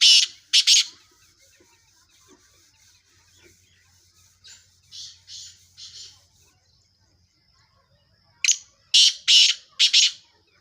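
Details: Black francolin giving harsh, grating calls in loud clustered bursts at the start and end, with softer hoarse notes between them over a quiet background.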